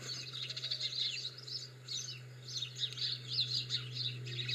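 Greenfinches twitter in fast, bright trills and chirps, perhaps several birds at once, over a steady low hum.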